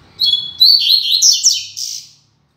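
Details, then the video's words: Caged double-collared seedeater singing loud and firm: a fast two-second phrase opening with steady whistles, then sliding, twittering notes and a bright burst at the end, recorded indoors with no other sounds. "Coleiro Mack Cantando Firme e Alto!!!"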